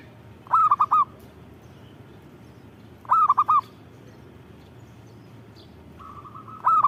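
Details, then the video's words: Actively singing perkutut, or zebra dove, repeats a short four-note rolling coo phrase about every two and a half seconds. A faint flat hum is audible between phrases and low background noise runs throughout. "Suara Burung Perkutut Gacor"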